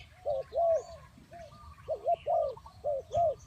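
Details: Spotted dove used as a decoy for trapping wild doves, giving paired, arched coos around mid pitch in short bursts with pauses between. Thin, higher chirping from other birds runs faintly behind.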